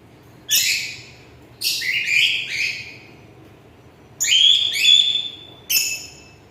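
A cockatiel gives a few loud, harsh, high-pitched chirping calls, some with a rising whistled edge.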